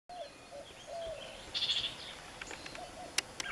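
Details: Birds calling in the early morning along the Bill Williams River on May 17, 2014, heard from a quiet paddle: soft low whistled notes, a brief high twittering trill, and a few sharp ticks over steady hiss.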